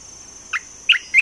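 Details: A caged Olive-winged Bulbul gives three short, bright, slurred notes about a third of a second apart, with a faint steady hiss behind.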